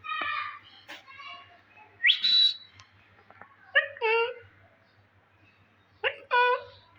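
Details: Indian green ringneck parakeet kept as a pet, talking in Urdu: nasal, voice-like phrases with rich stacked tones, a bright rising whistle in the middle, then two more short spoken-sounding words separated by quiet gaps over a faint hum.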